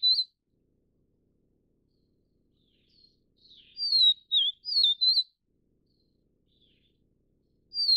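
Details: Vivid Niltava, the Taiwan endemic subspecies Niltava vivida vivida: a soft lead-in, then a full four-note phrase of high sliding whistles, plus brief single whistles at the start and end.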